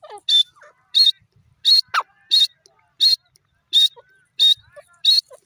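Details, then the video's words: Male grey francolin: evenly spaced, shrill, clipped notes, eight in a row at about one and a half per second, with a brief lower squeal partway through. "jungli teetar ki awaz,desi male ki awaz,grey francolin seet pe"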